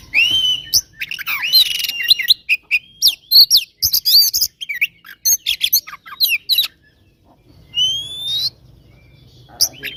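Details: Oriental magpie-robin fighting song for provoking rival birds: fast runs of sharp clicks, chirps and twisting whistles, then a pause before two long, clear, rising whistles near the end.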